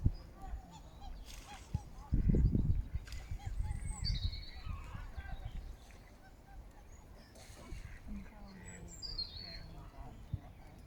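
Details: Common eider (Somateria mollissima) in Regent's Park, London, giving low, hollow crooning calls that rise and fall briefly, over wind rumble with faint high chirps from small birds.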